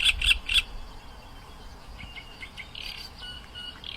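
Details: Oriental reed warbler singing in the wild in its natural habitat: three loud, harsh, evenly spaced notes open the phrase, followed by softer, varied chattering and squeaky notes; faint background bird sounds and low rumble.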